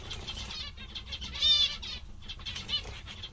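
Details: Zebra finches, described as cheerful and content, giving short nasal calls around the middle of the clip, with brief ringing notes and a busy chatter of further calls behind.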